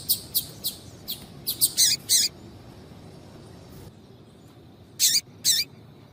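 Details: Female Double-collared seedeater calling to excite a male: a volley of quick high ticks and buzzy chirps, a pause, then two loud harsh chirps.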